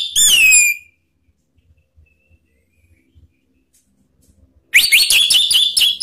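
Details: Male orange-headed thrush singing a lure song meant to provoke other birds to answer: a short, bright, falling whistle, nearly four seconds of silence, then a fast, dense run of high warbled and whistled notes.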